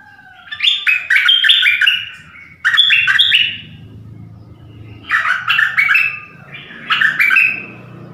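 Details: Dok taeng bird acting as a decoy, calling for a mate in the forest, 13 January 2021: four chattering phrases of quick falling chirps, with low rumbling in the background between them.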